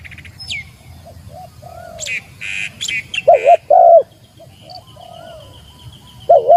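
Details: Spotted dove calling to challenge a rival: deep, hollow, two- and three-part coos in short bursts, mixed with other birds' chirps and high twittering.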